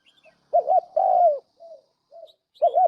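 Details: Turtle dove used as a trapping decoy, its luring call a pair of quick looped notes, then a drawn-out descending coo, with soft single notes after it before the phrase starts again.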